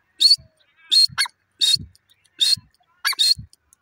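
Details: Grey francolin, a female voice, from Pakistan: harsh, broadband bursts repeated roughly every 0.7 seconds, each with a low thump beneath and a short rattling note after some calls.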